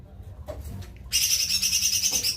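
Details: Cucak ijo mini, the lesser green leafbird, bursts into a loud, high, rapidly pulsing buzzy trill after a second of soft background noise.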